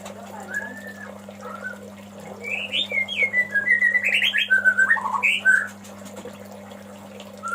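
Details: Male White-rumped shama calling to a female: soft scattered notes, then a loud, lively phrase of about three seconds of rapidly changing whistles, rising slurs and fast chattering trills, over a steady background hum.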